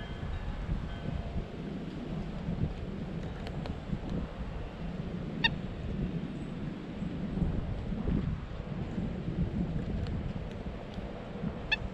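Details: Only a steady low rumble like wind or distant traffic, with a few sharp clicks and no clear animal calls.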